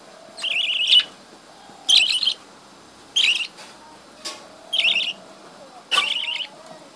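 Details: A budgerigar breeding colony: six brief, buzzy warbled chirps spaced about a second apart, each a wavering trill, with faint low hum beneath.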